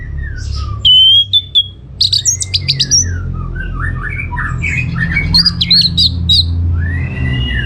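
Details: Gacor song of an orange-headed thrush, used to prompt other birds to reply: a rich jumble of quick whistles, rising and falling slurs and chattery notes, with a constant low background rumble.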